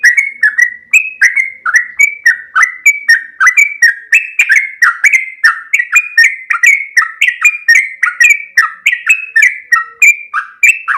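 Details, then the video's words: Sooty-headed bulbul with a loud, ringing voice: a continuous run of bubbly, fluty whistled notes, some rising and some falling, repeated about twice per second for the whole stretch, with a clean, quiet background. "trucuk kebo suara lantang, auto gacor"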